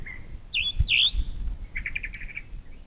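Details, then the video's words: Morning song of a Brown thrasher beside a Bald Eagle nest on the Little Miami River in Ohio, picked up by a nest camera: two loud slurred notes, then a rapid series of short chirps. "This Morning's Beautiful Brown Thrasher Serenade!"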